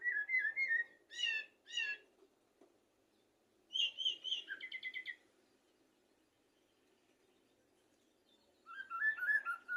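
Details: Common blackbird song played to tutor goldfinches and canaries: clear fluty whistled phrases, some with quick up-and-down notes, given in bursts separated by pauses of silence.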